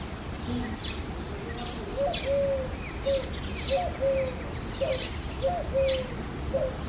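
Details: A Eurasian collared dove sings on an early, foggy February morning, cooing softly in low, hollow notes repeated in short phrases about once a second, over a steady hiss with faint high chirps from other birds.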